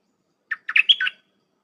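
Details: Red-whiskered bulbul in captivity singing a short dok phrase for training young hand-fed and wild-caught birds: one sharp chirp, then a tumbling group of slurred, warbled notes.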